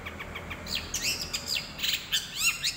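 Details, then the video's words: Fighting calls of Eurasian tree sparrows, rapid high chirps and twittering notes tumbling together in an irregular, excited chatter. "suara gereja tarung gacor"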